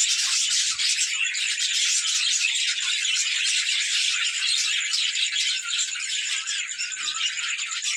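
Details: Budgerigars at play, a flock chattering together: dense, continuous high twittering and scratchy warbles that blend into an unbroken, rattling wash with no pauses.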